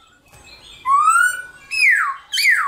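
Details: Black-throated laughingthrush, caged, in fighting-style morning song meant to provoke other birds into singing: a clear rising whistled note, then two strong falling whistles in quick succession, recorded indoors.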